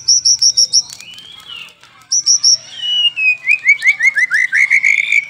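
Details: White-rumped shama singing actively, morning and afternoon: short series of high, evenly repeated notes twice, a long sliding whistle, then a rapid run of upslurred mid-pitched notes.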